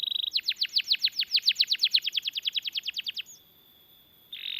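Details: Canary song used to tutor other canaries and coax them into singing: about twenty loud falling whistled notes in a steady run, then a faint drawn-out tone and a short buzzy burst.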